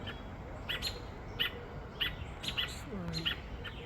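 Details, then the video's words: A robin distressed on a sad morning after a crow took its two chicks, giving short, sharp, high chirps about every half second to second over a noisy background, with a faint low voice near the end. "Bird Robin crying after Crow took its 2 babies"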